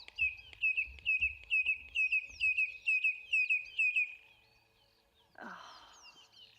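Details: A displaying male red-crested korhaan, answering another male calling far away and having built up to it by snapping its beak, gives a steady series of about ten sharp piping whistles, roughly two per second, before a brief rustle.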